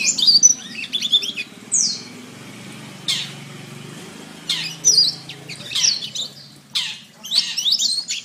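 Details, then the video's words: Canary training song in separated bursts: short, sharp high chirps and downward sweeps with pauses of about a second, over a steady low background hum. "Masteran Terbaik Kenari"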